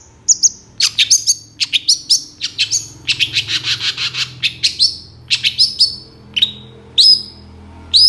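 Long-tailed Shrike giving a rapid, scratchy run of high chattering and whistled notes, with sharp rising squeaks breaking out every second or so.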